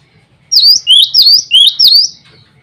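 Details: A male cinereous tit in full song, summoning rivals and females with a quick run of five sharp, high whistled notes. Each note slurs downward then up, over a quiet background.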